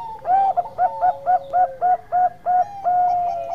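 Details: Zebra dove from Bangkok stock in lively song used as a lure to set other doves calling: a drawn-out coo then a fast series of about nine short clipped cooing notes, with another dove's lower coo beneath.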